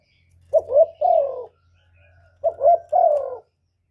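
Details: Spotted dove cooing, recording used as a trapping lure and to stimulate kept doves: two phrases about two seconds apart, each a pair of quick throaty notes followed by a drawn-out, mellow, slightly falling coo.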